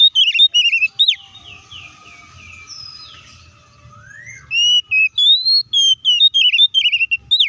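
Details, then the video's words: Oriental magpie-robin (kacer) in loud, clear fighting song used to provoke other kacer: rapid whistled notes with bending, slurred phrases, a quiet stretch of faint low rumble, then a renewed run of sharp repeated whistles. "SUARA BURUNG KACER GACOR NGEPLONG TARUNG KONSLET❗PALING AMPUH BUAT PANCINGAN KACER AGAR CEPAT EMOSI!"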